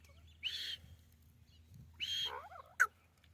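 A grey francolin gives two harsh, grating bursts about a second and a half apart, then a wavering note and a sharp final squawk, over a low steady hum.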